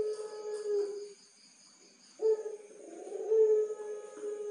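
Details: Captive Barbary dove of the pelung song style, Tulungagung, Indonesia. A low, droning coo fades, there is a quiet gap, then a sharp strong start leads into a long, rolling, drawn-out note. A thin steady high hum sits in the background.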